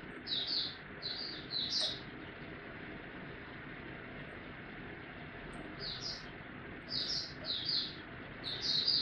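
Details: Oriental white-eye in ramp-up form: scattered short clusters of high, thin chirps, separated by gaps of several seconds, heard over a constant loud hiss of background noise.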